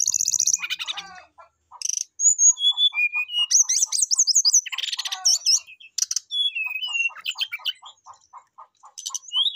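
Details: Brown-chested jungle flycatcher singing actively in a whistling style full of varied phrases, calling a rival: high slurred whistles and buzzy bursts over a steady train of short low ticking notes.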